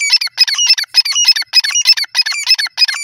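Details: Grey francolin sounds as a loud, dense run of rapid chirping notes, several per half-second, harsh and bubbling with a steady pulsing rhythm.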